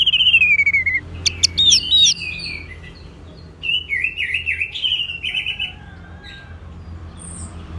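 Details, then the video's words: Varied orange-headed thrush song. A descending whistled slur gives way to sharp high flicks, then a longer stretch of warbling, wavering whistled phrases with quick chips, fading at the end under a soft low hum. "Terap1 Suara ANIS MERAH Macet Bunyi Agar Mau Kenceng Dengar Kicauan Ini."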